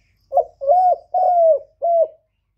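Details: Spotted dove decoy in lỡ gù contest cooing against a wild bird. One mellow phrase is heard, a short opening coo, a sustained level note, a longer gently falling one, and a brief closing coo, with no other sounds.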